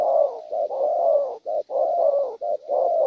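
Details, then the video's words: Wild-caught spotted dove with a strong voice, cooing in a patterned style locally called 'bài': low, mellow, throaty coo notes run in a steady phrase, broken by short pauses and clipped double notes, with a quiet background. "Bổi tốt tiếng,nước gù quá hay(chim có bài)"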